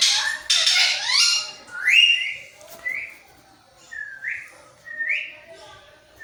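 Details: Pet parrot imitating a cat's voice: a loud burst of mixed noisy calls, then four or five separate upslurred whistled notes at irregular intervals of about a second.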